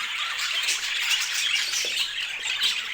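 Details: Brightly colored pet budgerigars in a noisy chorus of high, buzzy chirps and squawks, overlapping continuously with a few short squeals poking out above the mass.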